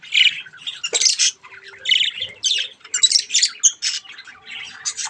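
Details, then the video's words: Budgerigar chicks playing with a mirror: rapid, raspy squawks and chirps in uneven bursts, with a faint steady hum in the room behind them. "Budgies chick's mirror fun time"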